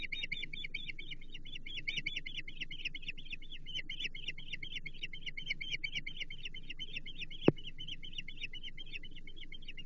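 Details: Osprey at a nest on Chesapeake Bay, calling during a fish feeding on 15 April 2024: a long run of rapid, repeated high chirps, steady throughout, with a low background hum and one sharp click.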